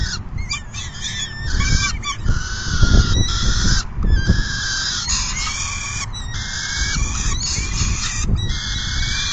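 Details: Peregrine falcon nest feeding, afternoon of June 10, 2022, with one bird leaving after it is full: a continuous run of raspy, harmonic calls broken by short gaps, with steady low wind rumble underneath.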